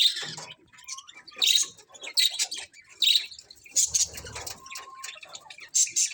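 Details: Colourful budgerigars in a colony give high chattering chirps in bursts about every second, with two thin steady whistles and overlapping twitter from several birds.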